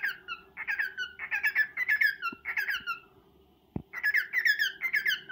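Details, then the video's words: Male cockatiel serenading a female pet bird indoors; rapid chains of harmonic, chattering whistles with downward slides, several phrases, a short silence broken by a single click, then the warbling resumes. "Chu courting Pika"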